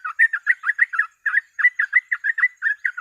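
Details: Rapid 'ropel' chatter of a sooty-headed bulbul, played as a tutor recording to draw birds into singing: a dense string of bubbly two-part notes, roughly three per second, briefly pausing once before continuing.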